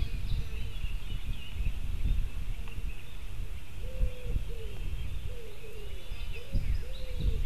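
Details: A white-tailed eagle chick squealing at 8:07 on 15 July 2018 at a nest webcam in Latvia: short, thin calls, some rising and falling, about every half second, over wind rumble and faint distant birdsong.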